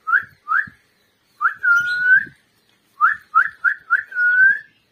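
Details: A pet rose-ringed parakeet gives clear, pure whistles: two short rising notes, a long level whistle, then four quick upslurred notes ending in another drawn-out whistle.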